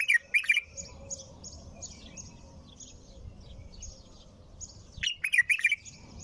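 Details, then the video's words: A bulbul sings without pause, giving a quick burst of liquid, bubbling notes at the start and a longer fluty run near the end. Soft high chirping and a low rumble fill the gaps. "تغريد بلبل طور بدون توقف"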